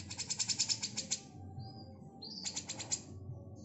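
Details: Female grey-cheeked bulbul calling with full wing-fluttering, used as a training recording for magpie robins: a rapid burst of about a dozen sharp, high chattering notes, then a thin whistle and a rising note leading into more fast chatter.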